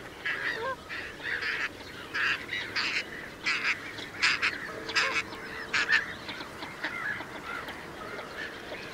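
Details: Northern shovelers giving nasal, honking calls in rapid uneven runs of about one to two notes per second, several overlapping, with a faint background hum.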